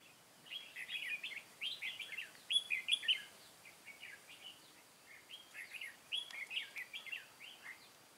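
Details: Red-whiskered bulbul decoy bird from Cao Phong, set out at a trap to lure wild bulbuls on 23 August 2018, singing bright warbled phrases of short whistled notes, grouped in bursts of several notes with brief pauses, over a soft background hiss.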